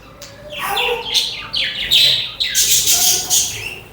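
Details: Several budgies sing and chatter with a continuous stream of scratchy, warbling chirps and short squawks. The busiest, brightest burst comes toward the end.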